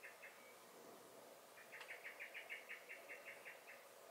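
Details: Common blackbird, garden, May, alarm calling: two faint chinks, then a long even series of about a dozen sharp, rattling notes after a brief click.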